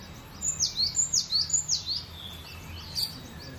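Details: Cinereous tit singing in a loud, relaxed, steady way: high whistled notes that slide sharply downward, given in quick repeated pairs for about two seconds, then a few fainter notes over soft background hiss.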